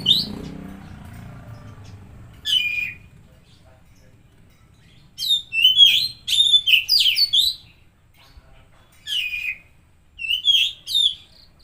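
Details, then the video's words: Lure song of an Oriental magpie-robin for prompting a stressed or non-singing bird. Low murmuring opens, then short bursts of bright whistled and chattering notes come in clusters separated by pauses. "Pancingan Suara Burung Kacer Macet/Stres"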